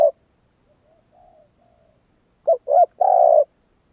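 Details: Spotted dove cooing: a loud opening coo, faint distant-sounding coos, then two short clipped notes leading into a longer burry, quavering coo, all low and mellow.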